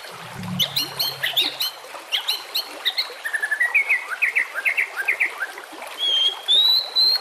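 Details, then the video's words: White-rumped shama pouring out high, sharp chips and short whistled notes, then a series of rising slurred whistles and a long clear upslurred whistle near the end, with insect-like buzzing in the background. "masteran murai batu"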